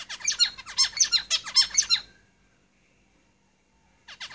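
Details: Zebra finches singing in a cage: a fast, loud, two-second burst of buzzy, harmonic chirps and squeaks, then silence before another burst begins.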